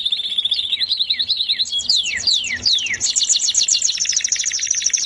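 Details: Canary's melodious song: quick looping whistles, several long downward sweeps, then a sustained rapid high trill.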